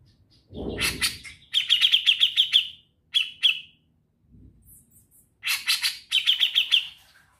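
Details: Trilling ngetril song of a Grey-cheeked bulbul: a low thud, then quick chattering trills of bright notes. A short pair of notes and a quiet gap follow before another rapid trill.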